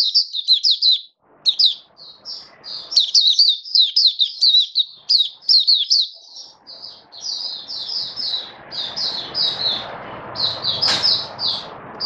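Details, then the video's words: An Oriental white-eye sings in display on 21 October 2022, the first day of testing a song-display booster. It gives a fast, high, unbroken twittering of thin sweet notes, with a soft rustling hiss later. "Mata Puteh Buka Sing Raja"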